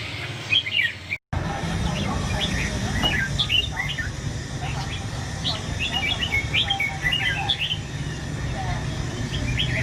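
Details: Caged red-whiskered bulbuls kept as competition songbirds: short bright warbled phrases, rising and falling, overlap in quick succession against a steady low hum, with a brief dropout near the start.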